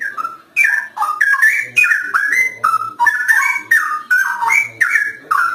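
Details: Straw-headed bulbul (cucak rowo) in lively song: a long, rolling stream of loud, liquid whistles, rising and falling and slurred together in short phrases, with no other sounds.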